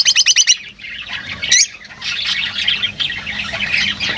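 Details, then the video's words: Lovebirds open with a quick run of repeated high chirps, then keep up harsh squeaky chatter and squawks. "Huni ng Lovebirds | Love birds Singing [ Call Sound ]"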